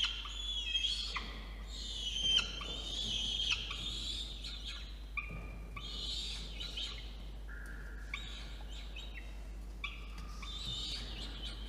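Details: A nestling peregrine falcon begs while an adult delivers dinner to a nest box on a water tower in Orange, New South Wales, on an evening in November 2021; rasping, strained screeches come in uneven bursts with brief wavering tones.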